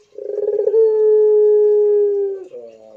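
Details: A Barbary dove's pelung coo: a stuttering, pulsed start that rises into one long, even, humming tone lasting nearly two seconds, then a short softer note after it.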